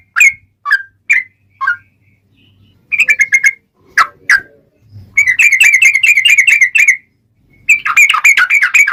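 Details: Long rapid-trill fighting song of a sooty-headed bulbul, used to lure others into singing: scattered falling whistles and sharp notes lead into long, fast bubbling runs of warbled phrases.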